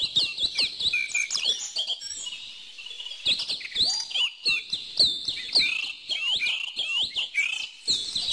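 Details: Birds chirping in irregular bursts: loud downslurred whistles and hooked tweets, a short quieter lull around the middle, then renewed rapid calling from several singers.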